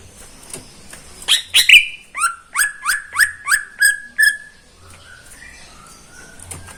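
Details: Morning song of a caged greater green leafbird: a string of about eight falling whistled notes in steady rhythm, each roughly half a second apart, then quieter soft whistles.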